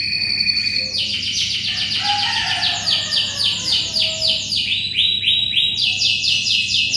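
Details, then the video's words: Vigorous canary song for tutoring white-rumped shamas, made of a continuous chain of fast high trills and rolls that shift in pitch every second or so, with a faint low hum behind. "SUARA BURUNG KENARI GACOR"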